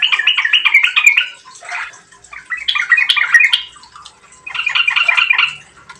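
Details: Yellow-vented bulbul singing vigorously as a lure to prompt rapid singing: three bursts of quick, liquid, chattering notes, each about a second long, separated by brief quieter gaps.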